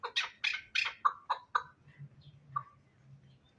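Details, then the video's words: Hybrid fighting chukar partridges, young birds: a short burst of loud, hoarse clucking notes, fast at first, then slowing to a few spaced calls and fading out over a faint low hum. "Кабки Гибрид"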